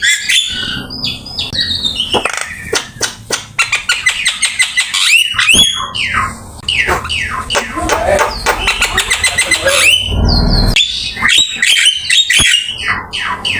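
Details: Black-winged myna singing a training master song: long bursts of rapid clicks and rattles, squeaky whistled slurs and harsh notes, with a brief low thump partway through.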